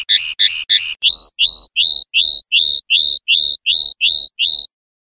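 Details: Common linnet in 'pardillo limpio' clean song, 2021/2022. Three quick doubled notes lead into a regular series of bright, upward-hooked whistles, roughly two or three per second, in a quiet setting.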